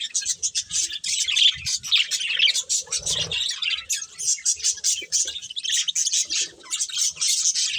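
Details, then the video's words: Eating budgerigars in bright colours give a steady, lively chatter of high chirps and clicky warbles, with a brief low thud near three seconds. "Colourful Budgies Chirping Sounds"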